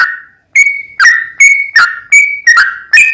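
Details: Sooty-headed bulbul singing a lively lure song to draw out another bird: after a short pause, a steady series of clear, sharply attacked whistles, some level, some sliding down.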